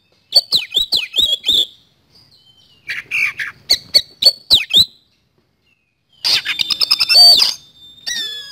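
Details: Caged white-rumped shama used as a lure bird, giving fast energetic song bursts of clicking notes, downslurred whistles and a harsh buzzing rolling trill, separated by brief pauses.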